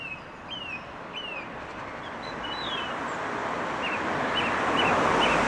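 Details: A song thrush singing in a tree gives short, clear whistled notes, some phrases repeated in quick succession, over a steady roar of wind or surf.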